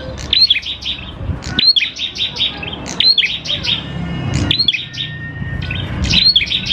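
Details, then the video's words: Prinia singing vigorously as a lure recording meant to make prinias start calling: quick bursts of sharp, high chirps and slurred whistles in repeated phrases, with a low rumbling background. "PANCINGAN PRENJAK KLAWU GACOR, NGALUN BIKIN PRENJAK CEPAT BUNYI"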